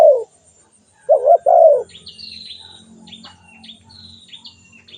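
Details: Calling spotted dove giving a low, soft three-part coo. Thin, high whistled notes from another bird follow, over faint background rumble.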